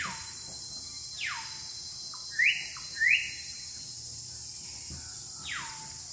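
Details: Budgerigars playing together: long falling whistled sweeps at the start and end, with two loud scratchy rising chirps in the middle. A soft steady high hiss runs throughout.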